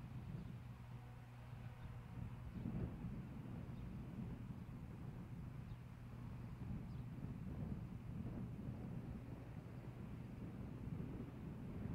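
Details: Steady low rumble of wind and a distant engine, possibly an aircraft, with no animal calls heard.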